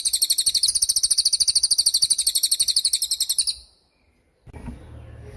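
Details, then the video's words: Cililin tutor recording for training young or moulting songbirds: a rapid run of high, sharp, evenly repeated chirps, about ten a second, lasting three and a half seconds, then a pause and faint low background rumble. "MASTERAN CILILIN || TAJAM DURASI PANJANG"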